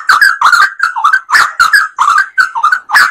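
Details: Yellow-vented bulbul singing actively as a lure for other birds: choppy phrases of liquid, gurgling notes that dip and rise, repeated in quick succession over three seconds.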